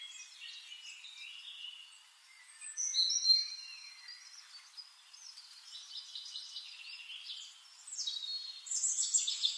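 Red-necked tanager giving thin, high, sharp chirps in quick irregular bursts, with brighter, busier notes near the end; a soft background hiss runs throughout.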